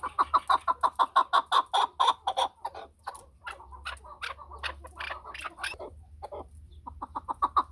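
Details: Rapid, evenly spaced chuk notes from a chukar partridge for the first two seconds or so, followed by looser, irregular clucks and a renewed short burst at the end.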